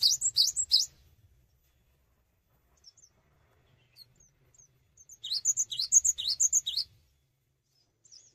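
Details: Cinereous tit singing vigorously without hopping, a song said to set other birds of its kind singing; two bursts of rapid, high, slurred chirps, a short one at the start and a longer run around six seconds, with quiet gaps between.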